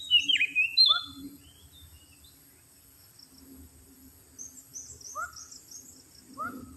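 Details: Oriental magpie-robin song used as a lure: loud twisting whistles open the phrase, then sparse falling notes and high chirps spaced a second or more apart over a low background hum.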